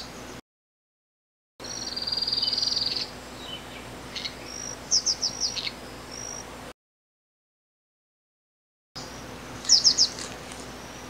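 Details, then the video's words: A Zidedê song: a very high, thin buzzy trill lasting over a second, then quick sharp downslurred notes in short bursts, with soft background hiss. "Canto do pássaro Zidedê"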